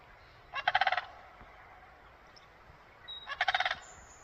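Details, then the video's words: Crane uttering two rattling, pulsed calls about three seconds apart, each roughly half a second of rapid harsh notes, with a faint thin whistle from another bird between them. "Hello Mr crane,, why are you making noise??"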